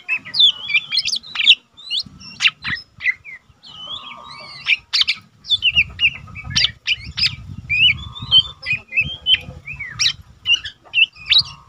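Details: Untrained Lesser green leafbird singing freely, kept as tutor material for caged birds of its kind: rapid, varied whistled notes and twittering chirps follow each other without a break, with a soft low hum underneath.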